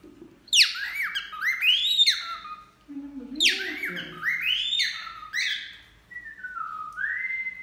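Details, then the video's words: Bathing cockatiel pair, male and female, singing two warbled phrases of rising slurred whistles, then a softer drawn-out whistled tone stepping down and up again, with brief low human voice in between. "Calopsitas Macho e Femea Cantando Tomando Banho"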